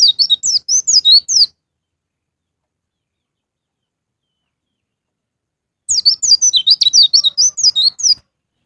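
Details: Pleci (white-eye) song used as a pancingan to prompt caged birds to sing, in the ngalas ngeplong style: two bursts of rapid, high, slurred twittering notes separated by several seconds of silence.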